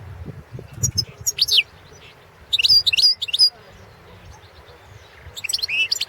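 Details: Balkan goldfinch, Carduelis carduelis balcanica, recorded for the 2017 World Championship in Goldfinch Song: scattered phrases of high, liquid twitters and slurred chirps, broken by short silences, with faint low background noise.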